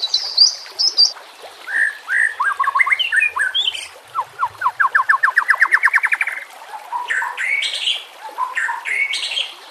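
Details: White-rumped shama singing for training master audio, with nature sounds and trickling water: varied whistles and squawky notes, then a long accelerating series of clipped notes climbing in pitch, followed by warbled, chattering phrases.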